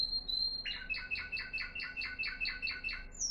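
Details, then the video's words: Moroccan Timbrado canary from 2021, described as a good discontinuous timbrado singing in florealdo style. A steady high whistle leads into a rhythmic series of about eleven repeated harmonic notes, over a soft background hiss. "top 03 timbrado florealdo Marocain 2021"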